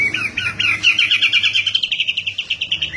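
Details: White-rumped shama in persistent full song: a fast, rhythmic trill of high chirping notes, about eight per second, held steadily and rising slightly over three seconds.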